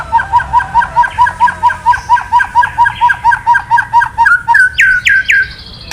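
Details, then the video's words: A male white-rumped shama, provoked by kretekan calls, repeats a mid-pitched note in a steady rhythm about twice per second, then finishes with a few higher, downward-sweeping whistles. "Suara KRETEKAN BURUNG MURAI BANGKITKAN EMOSI MURAI JANTAN KELUARKAN ISIAN! MURAI DIAM JADI NYAUT"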